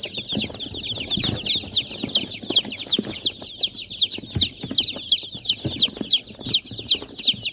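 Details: Many young chicken chicks cheeping together in a continuous chorus of shrill, falling peeps, roughly two to three per second, over faint thumps and scuffling.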